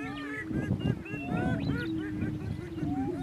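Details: Male greater prairie chickens battling for dominance on a lek in northeast Kansas: a steady low hollow moan runs throughout, overlaid by arching whooping cackles and quick rising yelps, several birds calling together.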